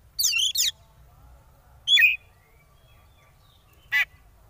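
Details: Kacer, or oriental magpie-robin, sung as a provoking lure in 'konslet' style: a doubled burst of high chattering notes, a lone sharp note two seconds later, and a brief harsh note near the end.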